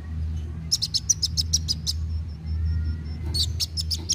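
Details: Sunbird singing actively and fast, played to stimulate young birds to sing: bursts of high, thin, rapid chips, a sustained thin whistle midway, then another quick chip series, over a steady low hum.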